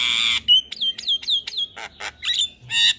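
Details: Morning call of a Javan myna, used to get other mynas responding: a harsh opening squawk, then a rapid string of short whistled upslurs repeated about four times a second, ending in another rasp.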